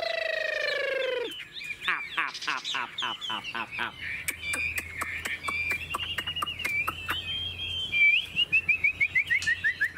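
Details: Caged Chinese hwamei pouring out a varied song: opening harsh note, a rapid series of sharp repeated clicks, then ringing whistled phrases rising and falling, ending in quick repeated chirps; faint low hum behind.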